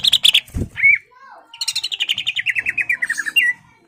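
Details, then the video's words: Caged greater green leafbird singing to provoke a rival into fighting: a few bright chirps and a slurred whistle, then a fast run of about fifteen clipped, ringing notes that step gradually downward, ending on a rising whistle. "CUCAK IJO GACOR MEMANCING EMOSI LAWAN AGAR MAU JAMTROK DAN TARUNG"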